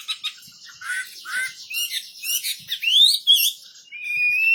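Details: Quieter wambi bird warbling with scratchy twitters and upward-sliding whistles, finishing on a long, level whistle.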